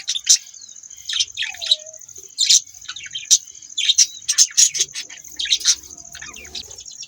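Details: Lively budgerigar chatter: repeated loud, sharp chirps and grating squeaks come every half second or so, with a low sliding whistle early on and a constant high-pitched hum underneath.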